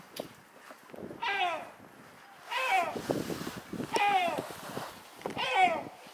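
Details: Wild gull at a harbour on Rügen, still screaming after its companion flew away: four loud, downslurred, harmonic cries roughly every one and a half seconds over steady background noise and soft knocking sounds.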